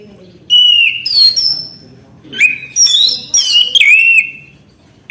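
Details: Orange-headed thrush in full song, mixing a clear level whistle, buzzy rising slurs and rapid warbled notes in short bursts with brief pauses.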